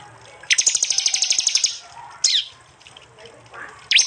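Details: Prinia song compiled from prenjak, jali and mountain prenjak recordings in East Java, taken with an Android phone: a fast high ticking trill lasting over a second, then sharp down-slurred whistles.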